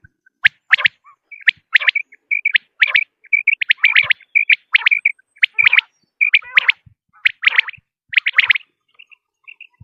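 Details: Common quail (batair) calls meant to lure quail for hunting: liquid three-note phrases, each note a quick bright stroke, repeated about once a second for nearly ten seconds, with faint low thumps.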